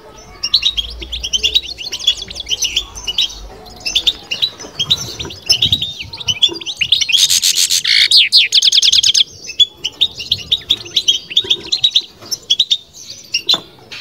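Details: Batbata twittering from a kept European goldfinch: a long, steady stream of sharp, high chirps, then a loud, rapid rattling trill midway, before returning to scattered twitter notes.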